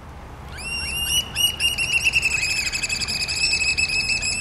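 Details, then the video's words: Black oystercatcher giving loud, ringing whistled 'wheep' notes, several per second, running together into an excited piping series over a low rumble. "Black Oystercatcher"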